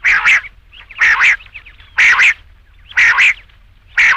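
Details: Rain quail calling for night use: loud, buzzy paired notes repeated steadily about once a second, each burst a quick double note with short silences between.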